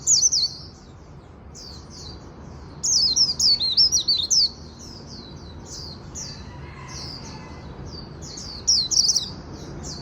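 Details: Japanese white-eye singing in the afternoon: high, thin twittering phrases of rapid slurred notes, loud bursts near the start, around three and a half seconds and near nine seconds, with softer chips between over a faint low hum.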